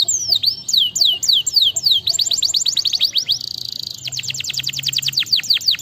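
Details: Canary singing a fast, varied song of high, steeply falling whistled sweeps repeated in quick runs, broken by a short steady buzzy trill, then rapid descending notes again.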